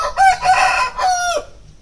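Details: Plump young chickens raised on a small farm give loud, nasal, harmonic calls: two quick notes, then a longer note that falls away at the end, followed by near silence.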